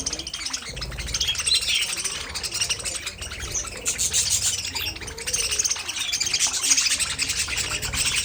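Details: Budgies keep up a busy, overlapping twitter of sharp high chirps and raspy warbles, growing louder around the middle and staying lively to the end.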